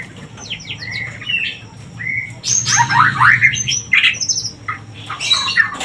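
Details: Shama song played to bring birds into breeding condition: busy mix of whistled slides, harsh squawky notes and quick chattering phrases, a constant low hum underneath.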